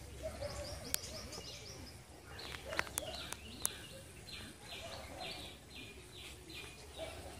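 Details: In Sri Lanka, a Tickell's blue flycatcher gives a steady run of short, high, sweet notes, about three a second, over a low rural hum with a few sharp clicks.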